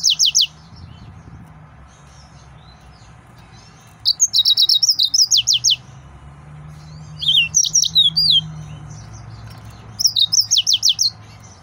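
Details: Male yellow-fronted canary, excited, singing fast high trills of rapidly repeated notes interspersed with sweet whistles, in four phrases spaced a couple of seconds apart, over a low steady hum.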